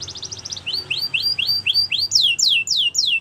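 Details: Canary song meant for training birds: a quick rattling trill, then rising whistled notes repeated evenly, ending with loud descending slurs in a steady rhythm.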